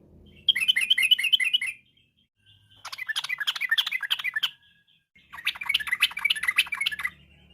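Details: Afternoon song of a yellow-vented bulbul, played as a lure to make birds sing: three chattering phrases of rapid, bubbly notes, each lasting about one to two seconds, separated by short pauses, with faint low hum.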